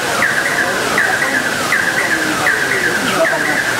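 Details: A pair of fire-tufted barbets singing together. Paired slurred phrases, a falling note then a shorter wavering one, recur roughly every three quarters of a second against constant background noise, with a few faint lower notes.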